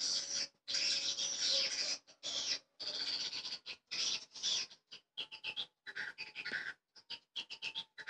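Swiftlets twitter in dense, high-pitched bursts, first long buzzy chatters, then quick chirps repeated in clipped runs with short gaps.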